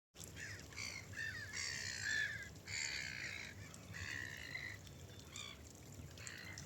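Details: Gulls flying over a river, a real natural recording: hoarse, drawn-out mewing calls from several birds overlapping, repeated every second or so over steady wind and water noise.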